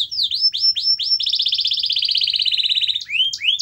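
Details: Canary singing to make a silent canary start: a few falling whistled sweeps lead into a long rapid pulsing trill that slowly drops in pitch, ending in rising slurred notes.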